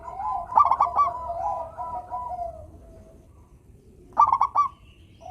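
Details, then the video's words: Cooing song of a local zebra dove, used to prompt reluctant doves to sing: a warbling coo trailing off, a pause, then a clustered burst of rapid rolling notes. "perkutut lokal gacor suara merdu - bikin bunyi perkutut yang malas manggung."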